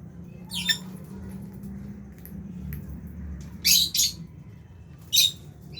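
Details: Fisher's and Albino lovebirds at mealtime in an aviary utter rough, high chirps, a quick double burst in the middle and a single later one, over a constant low droning hum.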